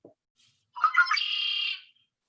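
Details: Red-winged blackbird song, one of the first signs of spring heard around the beginning of March: a quick stuttered burst of notes running into a long, buzzy, ringing trill lasting most of a second.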